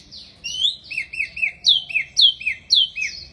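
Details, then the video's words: Wambi bird in lively song: a rhythmic series of clear downslurred whistles, paired high and lower notes repeated about twice per second, bright and crisp against a quiet background. "Burung Wambi Mini Gacor Banget"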